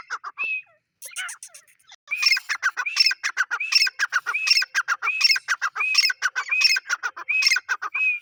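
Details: Male grey francolin: one brief note and a pause, then from two seconds a steady run of about nine loud, shrill, rising phrases, each with chattering harsh notes.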